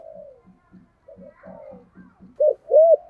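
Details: Spotted dove decoy bird in 'giọng thổ' style: soft murmured notes over a low rhythmic pulsing, closing with two loud hollow coos.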